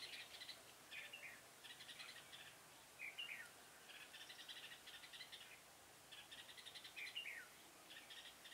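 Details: Red-whiskered bulbul kept as a decoy bird for trapping, recorded 6 November 2017: short whistled phrases that rise then drop sharply, about four seconds apart, over a steady pulsing insect-like chirring background.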